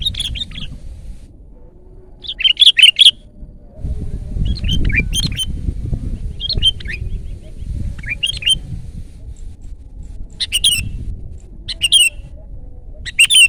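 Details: Sooty-headed bulbul in loud song: short, sharp, bubbly whistled phrases repeat every one to two seconds across the stretch, with soft low-pitched background noise between them.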